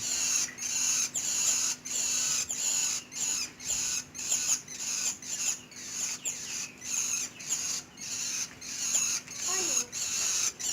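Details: Long-tailed shrike uttering harsh, scratchy notes in rapid succession, roughly one or two per second at an uneven pace, with a steady low electrical hum in the background.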